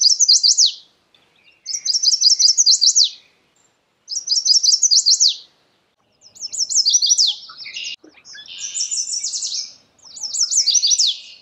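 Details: Repeated song of a Chestnut-sided warbler: rapid series of high, sweet notes closing with an accented downslur, delivered about every two seconds; one phrase overlaps a brief buzzy trill of another high bird.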